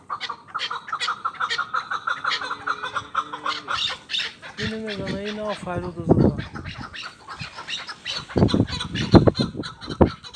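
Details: Hunting chukar partridge giving rapid, rhythmic chattering notes, about four or five a second, for roughly four seconds. Loud honking, harmonic voices and laughter follow, with scattered clicks and knocks throughout.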